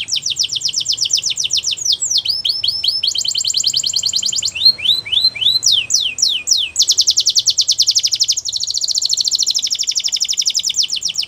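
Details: Singing Belgian canary delivering nearly continuous high rolling trills, broken by short runs of sweeping downslurred whistles, the rapid notes rising and falling in loudness throughout; no other sounds present.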